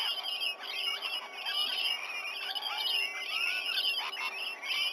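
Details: Rainbow lorikeets massing around a sea-eagles' nest tree in Sydney Olympic Park, Australia, on a November 2020 morning after 7 a.m., recorded by a nest cam; high, squealing chatter with rising and falling whistled notes from many birds at once.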